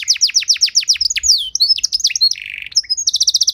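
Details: Canary pancingan song used to teach and prompt other canaries: a run of steady downward sweeps, then varied chips, a short buzzy rattle and an even, rapid high trill at the end.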